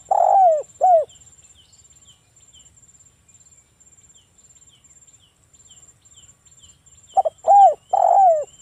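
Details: Spotted dove, local bird, cooing to lure others into song. Two falling coos at the start, then after a long quiet gap a fuller phrase of short notes and a drawn coo, with a faint high whine behind.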